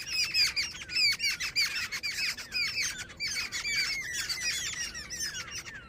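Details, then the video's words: Continuous shrill squawking chatter from a female jungle babbler, quick uneven notes running almost without pause for six seconds. "Jungle babbler sound effect | babbler bird Sound Grey | female babbler ki video"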